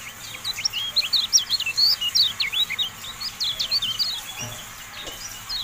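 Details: Javan white-eye singing in a masteran recording: a fast, uneven stream of thin, high twitters and brief whistled slurs across most of the clip, fading slightly toward the end, with a soft low knock midway.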